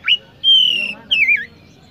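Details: Kacer, the Oriental magpie-robin, giving three clear whistles: a sharp upswept note, a long level piping tone, then a wavering note that drops at its end, against a quiet background.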